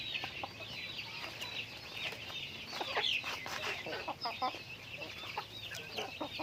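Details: A flock of chickens during daily activity, heard somewhat faintly: busy overlapping clucks and brief chirping notes against a constant background hum.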